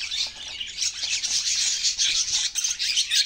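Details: Budgies in continuous chatter, a thick, high, scratchy warble of overlapping chirps with no pauses.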